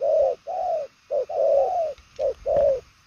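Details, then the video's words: Short burst of cooing from a purple-legged spotted dove: a quick coo, a longer hollow one, then a sustained drawn-out coo and another short-long pair, with faint background clicks. "Đồng son chân tím gù quá tốt, nước xa tốc độ bài lối"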